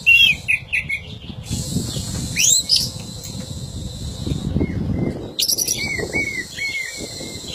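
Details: Female orange-headed thrush, described as 'stuck' or reluctant to sing, giving short scattered chirps and a quick rising whistle, then a run of repeated clipped whistled notes near the end, with loud wing flapping and rustling throughout.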